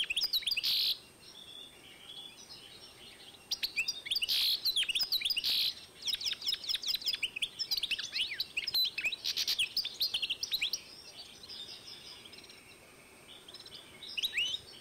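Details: Goldfinch x canary hybrid from 2012 delivering long, nearly continuous twittering song, fast high chirps and slurs punctuated by loud buzzy bursts, trailing off into softer notes and a brief final phrase.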